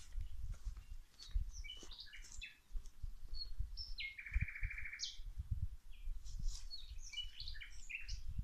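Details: Outdoor birdsong during plant watering: a busy mix of high chirps and twitters, one longer buzzy trilled phrase in the middle, over soft low thumps and background noise.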